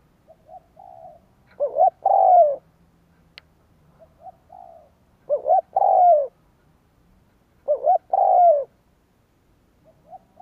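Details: Spotted dove decoy bird cooing to lure wild doves: three loud low phrases, each two short hooting notes then a long falling coo, about every three seconds, with softer shorter coos between.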